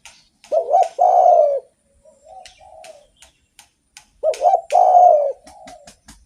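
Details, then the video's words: Spotted dove singing actively, kept as a lure for other doves: two cooing phrases about four seconds apart, each a wavering lead note and a long falling coo, with soft notes between and frequent sharp clicks. "SUARA BURUNG DERKUKU GACOR ENAK DIDENGAR || BAGUS BUAT PANCINGAN"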